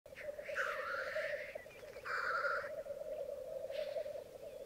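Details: Black grouse lekking on a bog at Mykland one May morning in 2022, twelve males and two females present; a steady bubbling, cooing chorus runs throughout, broken by two long rushing hisses.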